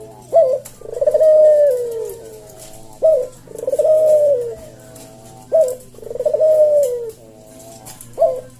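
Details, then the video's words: Caged Javan puter (collared dove) cooing in the slow 'senggang' style, 'kuk deruk', used as a tutor and lure recording: a short sharp note, then a long soft descending coo, repeated about every two and a half seconds. Indoors, with a steady low hum. "Burung puter jawa kuk deruk manggung merdu suara SLOW SENGGANG"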